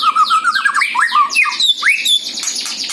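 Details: White-rumped shama song from Bali, used as a lure: rapid run of varied whistles, slurred sweeps and chattering notes packed densely together over a faint steady hiss.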